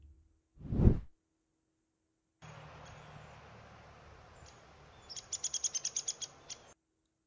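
A woodpecker gives a quick series of about nine sharp, high notes, evenly paced, over steady background hiss, after a brief spoken word.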